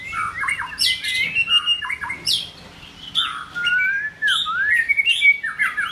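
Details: Form-building White-rumped shama delivering rich whistled phrases, bright slurred notes, and high squeaky accents, separated by short quiet gaps.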